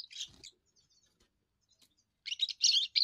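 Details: First song of a young European goldfinch, defending territory and attracting females: a twittering opening, near silence with faint soft notes, then a loud, fast burst of tinkling, buzzy phrases.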